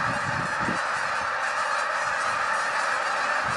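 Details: Canada geese, a huge flock of hundreds lifting off together, giving a thick, unbroken chorus of honking, with brief low knocking sounds early on beneath the steady din.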